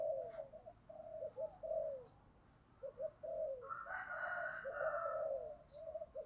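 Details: Decoy spotted dove calling to lure wild doves, repeated low cooing phrases, joined midway by a louder higher droning tone and a brief chirp.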